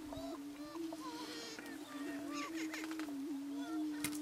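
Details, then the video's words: Two male Greater Prairie-Chickens spar on a lek in the Nebraska Sandhills in April 2018 while waiting for females to arrive: a steady, low, hollow moaning boom overlaid with rising whoops and sharp cackles. "Prairie Chickens Dancing and Booming on the Lek (Booming Grounds)"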